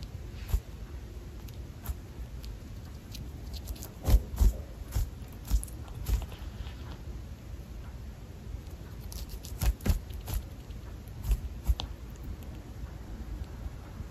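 A Java sparrow chewing: sharp, dry crunching clicks in irregular bursts, a few per second, over a steady low indoor hum.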